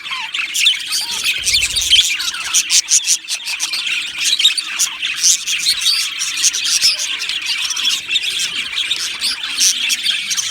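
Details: Busy chatter of an aviary budgie colony: rapid chirped syllables and warbles stacked from many birds, punctuated by sharp clicks, continuous from start to end.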